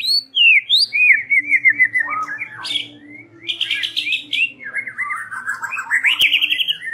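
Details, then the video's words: White-rumped shama singing an evening lure song: varied loud whistled phrases, warbled trills and sharp rising notes in quick succession, some high squeaky notes, faint low hum beneath. "Suara PEMIKAT SORE PETANG MURAI Batu"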